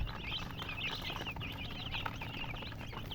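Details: Coloured baby chicks in a group, giving rapid high-pitched peeps, many short down-slurred chirps crowding one another, backed by a low droning hum.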